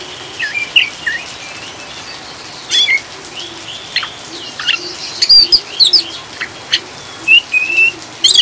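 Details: Oriental magpie-robin ngriwik chattering, blended with rainfall to settle birds and prompt singing; scattered short whistles and sharp chips, sparse at first and thicker toward the end, with constant rain hiss beneath.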